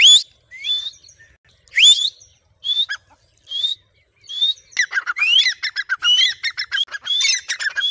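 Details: Tame grey francolin trained to call at its owner's whistle: scattered loud upswept whistles and short notes at first, then a dense, rapid chatter of rising squeaky notes and harsh squawks.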